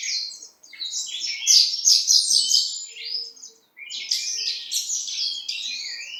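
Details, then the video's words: Horsfield's bushlark, East Java type, singing energetic bursts of high, fast chirps and trills, separated by two short silences. "Branjangan Jatim 10 rajin Kicau"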